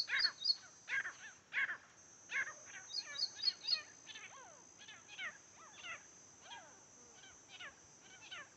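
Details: Wild grey francolins fighting, recorded during a hunt: rapid, harsh, arching calls that swoop up and down, several birds overlapping at about four notes a second, over a steady high hiss.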